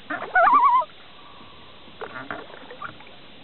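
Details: Loon uttering one short, rapidly wavering, yodel-like quaver lasting under a second, followed by quiet background with a few faint noises.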